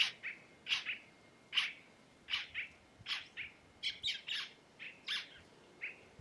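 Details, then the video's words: Red-necked tanager of the Caatinga giving a loose series of thin, high, sharp notes, roughly one or two a second at an uneven pace, over a faint background hiss. "Tiê Caburé Cantando"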